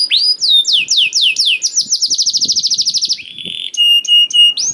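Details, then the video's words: Canary song meant to trigger other canaries to sing: falling whistled slurs lead into a rapid pulsing trill, then a steady low buzzy tone and sparse high piping notes. "KENARI GACOR DOR INI MEMANCING KENARI YANG SUSAH BUNYI JADI IKUT GACOR"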